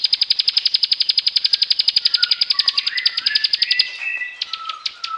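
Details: Bar-winged prinia song used as a lure for silent birds: a fast run of sharp chirps about four per second, then sliding lower whistles and a few scattered notes.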